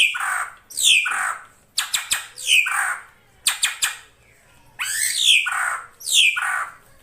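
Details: Female drongo giving calls to attract a male, used as an Indonesian lure sound: a series of harsh notes sweeping downward, interrupted twice by quick bursts of sharp clicks or taps, about six calls overall.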